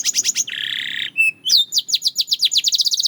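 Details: Belgian canary: a few rapid chirps, a harsh buzzing rattle held for half a second, a short pure whistle, then an accelerating series of bright down-slurred notes.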